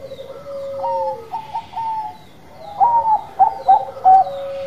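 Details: Perkutut song from a Bangkok-type zebra dove: a long falling trilled coo and short level notes, then three loud, ringing, separated notes in the final seconds.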